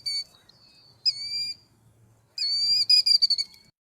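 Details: Killdeer giving its name-giving call, which males make almost incessantly during display flights: shrill, high-pitched notes, a short note, then a drawn-out cry, then a rapid, excited run of piercing notes.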